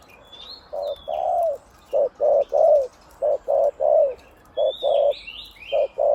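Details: Captive spotted dove decoy, deep one-'kuk' voice, mostly 'khu-ang' phrasing; clipped low coos in pairs and triplets, some with a falling tail, plus thin high whistles from other birds.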